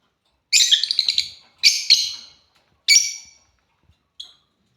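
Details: Playing African lovebirds give a rapid cluster of rasping, stuttered chirps, then two more shrill bursts about a second apart and a faint short squeak at the end.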